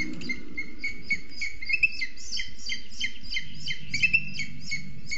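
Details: At a Booted eagle nest in a Scots pine at about 1,400 m in Sierra de Guadarrama National Park, where the female feeds a hours-old chick, thin, high chirping notes come in quick, uneven runs over a low rumble.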